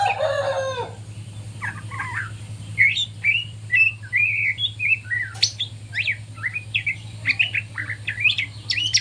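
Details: Morning practice song from a juvenile white-rumped shama still learning: a burst of lower chattering notes opens, followed by a long string of varied high whistles and quick slurred chirps, with a constant low electrical hum beneath.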